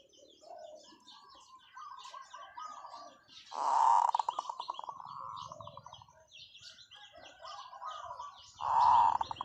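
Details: A decoy zebra dove sings long calls in a light voice. Two loud cooing bursts each run into rapid, stuttering coo pulses, while softer dove calls and bird chirps carry on between them.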